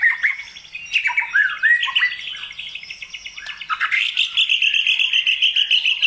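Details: White-rumped shama singing to provoke other birds: varied slurred whistles and squawky notes at first, then a fast trilled run of rapidly repeated high notes, about 200 per minute, near the end.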